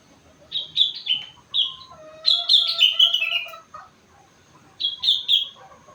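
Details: Four-month-old sooty-headed bulbul singing energetically, its repertoire filled with rengganis and cucak wilis imitations: bright descending whistled phrases of three to five quick notes in bursts, with lower sliding tones beneath and short pauses between groups.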